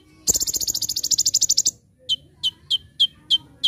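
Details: Brown-throated sunbird, 'tembakan' master song: a rapid, high buzzy rattle lasting about a second and a half, then five or six separate piercing chips.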